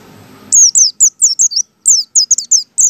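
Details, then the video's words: A white-eye delivers ngalas song, meant to coax other white-eyes to sing: a clean, rapid chain of high, bright, downward-sweeping chirps, roughly ten notes in two seconds, after a brief low hum. "PLECI BUKA PARUH ngalas"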